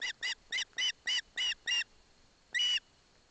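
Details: A young osprey in Barlinek Forest, its mother present, takes a fish from its father: a quick run of seven sharp harmonic chirps, a pause, then one longer, drawn-out chirp.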